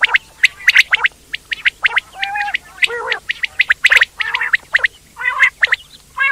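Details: Quail, Indian, giving a busy mix of short sharp chirps and harsh, nasal squawking notes, several calls overlapping in quick succession with brief gaps, as if from more than one bird.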